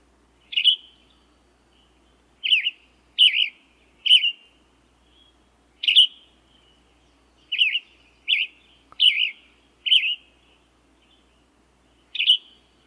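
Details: Western Tanager song played back: a long series of short, rough, burry whistled phrases, each quickly rising and falling, delivered in loose groups with brief pauses, around ten phrases in thirteen seconds; a faint low hum underneath.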